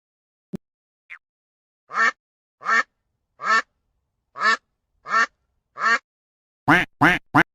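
A duck gives six evenly spaced, nasal quacks about two-thirds of a second apart, then finishes with three louder, quicker quacks.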